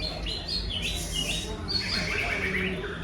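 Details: Greater green leafbird singing its repertoire, said to include imitations of tengkek udang and jinjing petulak: a rapid run of varied whistled and chirping notes, some sliding and warbled, over a steady low rumble and background hiss.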